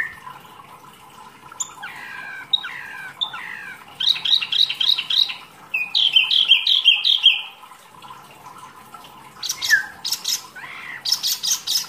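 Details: Mini wambi, rarely kept by bird keepers, singing actively for masteran tutoring: descending slurred notes, then rapid repeated high chips in two runs, followed by sharp upward chirps and buzzy bursts.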